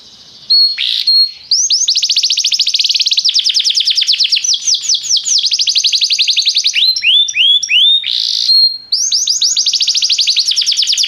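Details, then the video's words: Restless canary singing: long rapid trills of high, down-swept notes repeated in fast rolls, broken by brief buzzy bursts and steady whistled tones, with a change of trill type midway. "o canário cantava inquieto"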